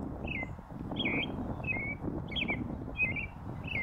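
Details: In a northern USA oak savanna a leucistic North American robin sings from a post: six quick caroling phrases of slurred, downward-warbling notes, close together, over a low steady rumble.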